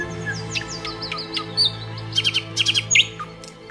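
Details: Nightingale singing eagerly in forest: a series of clear, slurred whistles, then rapid repeated sharp notes and a quick flourish, over a steady low hum.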